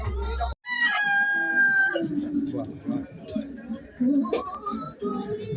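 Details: A country (desi) rooster gives a single drawn-out, harmonic crow lasting about a second, then people's voices and other low murmuring sounds follow.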